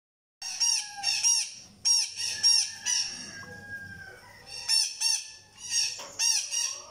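A blue-crowned hanging parrot gives shrill, squeaky, arched notes in quick pairs and short bursts, about a dozen in seven seconds, with a faint steady whistle between them.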